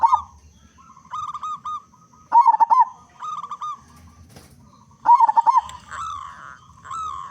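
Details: Local-type zebra dove (perkutut lokal) with a big voice, singing actively as a lure to get other zebra doves singing quickly: bursts of rapid stuttering coos roughly every two to three seconds, linked by steadier, softer cooing phrases.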